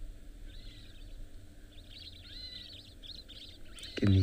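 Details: Cape longclaws on a sunny, warm morning safari give thin, slightly cat-like mewing and chirping phrases over about three seconds. A low engine hum runs behind, and a voice cuts in at the end.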